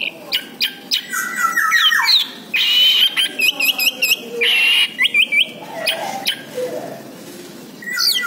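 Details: Lure recording of an orange-headed thrush, meant to draw a reply from birds that have stopped singing: rich varied song of sharp whistles, short slurred notes and quick repeated chips in bursts, with brief pauses between phrases.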